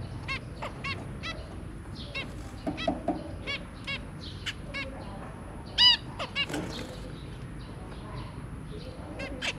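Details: Zebra finches, a pair and their three babies, 23 January 2022: a fainter stream of brief stacked nasal calls repeated irregularly, one stronger note near the sixth second, with soft rustling and low background hum.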